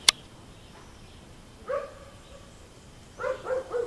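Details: Red-breasted toucan visiting a rufous hornero nest in a Brazilian garden, giving short, nasal, harmonic croaks: one near the middle, then three quick repeated notes toward the end, after a sharp click at the start.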